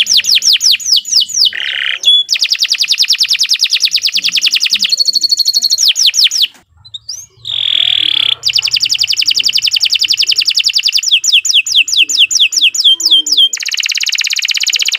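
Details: Canary in a long, continuous training recording: rapid runs of descending whistled notes at high pitch, interrupted by buzzy harsh rolls and brief pauses, then fast repeated trills.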